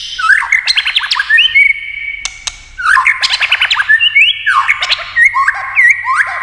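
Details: White-rumped shama singing a competition song of many voices: loud, fluty whistles and swooping slurs in three or four phrases, mixed with sharp clicks and a long level whistle between phrases.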